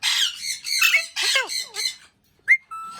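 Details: Indian ringneck parrot mimicking words with rasping, voice-like syllables, then a short silence, a sharp upward chirp and a steady thin whistle.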